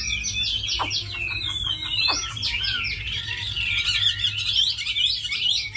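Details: Tame hwamei, kept for fighting and good singing, mixes sharp falling notes and harsh chips with a loud, busy warbling run of high, tumbling whistles.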